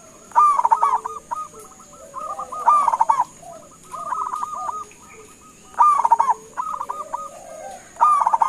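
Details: Local zebra dove repeatedly calling to get other doves to answer, four loud rolling coo bursts each followed by a string of short even notes, roughly two seconds apart, over a steady faint high hum.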